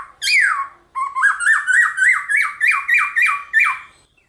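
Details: Captive black-throated laughingthrush in competition song, played mornings to spur other birds to sing: one loud descending whistle, then a run of about eight quick, harsh upslurred-then-dropping notes, roughly three a second.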